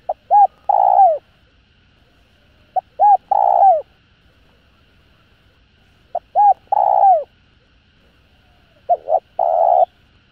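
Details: Spotted dove calling to stimulate other doves; low hollow cooing phrases, two short notes then a longer drawn-out coo, repeated about every three seconds.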